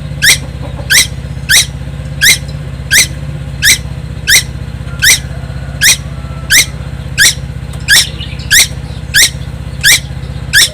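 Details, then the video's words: On Timor Island, a young tuwu that never stops singing repeats short, grating, stepped notes at a brisk regular beat, about sixteen in a row, against a constant deep engine-like hum. "burung tuwu Pulau Timor gak pernah diam"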